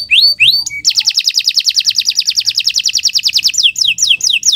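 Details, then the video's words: Canary singing continuously in a tutor recording: a few rising whistles, then a long, very rapid bright trill, ending in slower looping descending notes. "Kicau Burung Kenari 144 II LUAR BIASA GACOR PANJANG"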